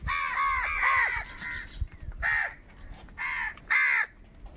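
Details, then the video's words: Crows making sounds for food: a run of rapid rasping caws, then three separate harsh caws spaced about a second apart. "Crow bird unity anger and sound for food | Clear crystal crow bird crowing sounds"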